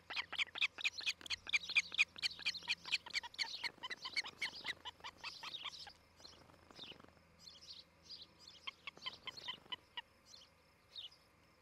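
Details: Nesting osprey near Charlo, Montana, on a nest camera, morning of 07-11-2018: quick run of loud, high chirps for about six seconds, then thinner, scattered chirps fading out over a faint low hum.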